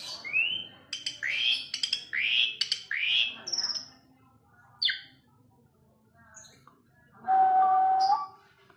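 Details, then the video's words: Asian pied starling singing rising whistled slurs with crisp clicks, brief high notes, then a sustained low steady whistle. "KICAU JALAK SUREN MANTUL"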